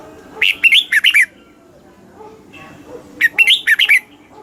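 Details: Red-whiskered bulbul song from Thailand in the southern master style, used to stimulate caged birds and tutor chicks; two lively phrases of rapid, looping whistled notes about three seconds apart, quiet between.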